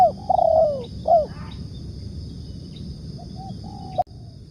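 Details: Spotted dove used as a lure bird for trapping: a quick run of low, slightly falling coo notes in the first second, one more coo, then a few faint, soft notes, over a steady high hiss with a click near the end.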